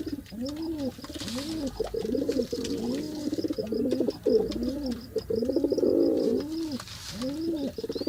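Pigeons coo in soft, low, rounded notes, several birds overlapping in a steady, throaty murmur.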